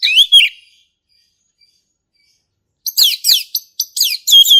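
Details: Forest recording of a male orange-headed thrush in ngeplong song: a rich slurred phrase, a long silence, then loud rapid bursts of downslurred whistles and scratchy notes.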